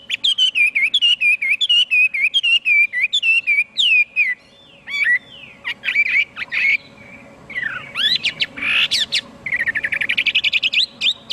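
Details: A Chinese hwamei (Garrulax canorus) sings loud, rich whistles, opening with a run of repeated down-slurred notes, then switching to varied phrases, scratchy buzzes and rapid trills.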